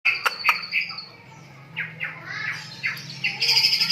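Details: Lovebird of the kapas variety singing in the tembak style: bright chirps and squeaky notes, a quiet pause, then rapid sharp chirps building into a dense high twittering, over a faint low hum.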